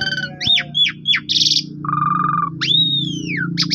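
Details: Asian pied starling song played to coax a silent bird into song: short slurred whistles, a buzzy burst, a long nasal harmonic note and a loud arching whistle falling away, over steady low hum.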